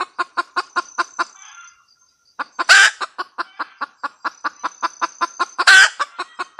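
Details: Red junglefowl hen cackle: a burst of fast clucks, a short pause, then clucks resuming with two loud harsh squawks about three seconds apart.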